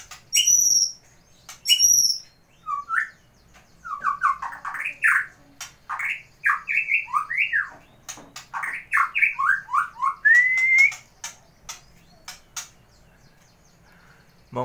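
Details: A captive competition white-rumped shama sings a fast run of varied, slurred whistles with a few high thin notes and a rising whistle, likely mimicry; sharp clicks and other birds are faint behind it.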